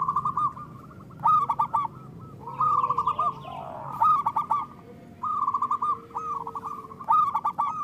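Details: Zebra doves of the local Indonesian type, recorded as a lure for catching birds and prompting quiet ones: repeated bursts of fast staccato cooing every second or two, overlapping from more than one bird.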